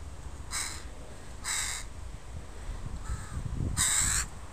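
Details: Crows from a family with young in a park, a Sunday recording: three to four coarse caws about a second apart, the last longest and loudest, over low rustling noise.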